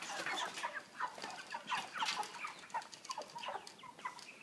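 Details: Broiler chickens of 3 kg in a cage system with an inner pan feeder call in quick overlapping chirps and clucks, several curving upward, over a busy background of other birds and clatter.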